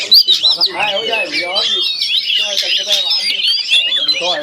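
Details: Rival Oriental magpie-robins in linked cages, set against each other to fight, give a continuous tangle of bright twisting whistles and quick chattering notes, while a person talks steadily underneath throughout.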